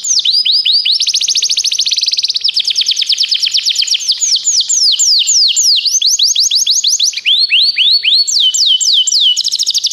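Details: Canary song intended to train canaries: continuous loud high trills and tours of repeated sweeping notes, changing speed and pitch between phrases without pause for ten seconds.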